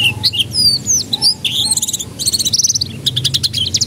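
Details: Canary song played to coax young canaries into starting to sing: varied high whistles, buzzy slurs and rapid trills, ending in a fast even rattle of notes, with a low hum beneath.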